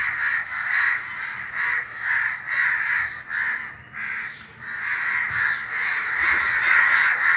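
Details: A flock of crows sitting in a tree calls together with a steady stream of hoarse, grating caws, about two per second, overlapping into a near-continuous chorus that briefly dips before swelling again.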